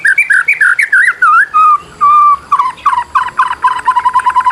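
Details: White-rumped shama song used as a lure for reluctant singers: rich, fairly low fluting whistles, two long level whistled notes, then a rapid rolling trill of repeated notes.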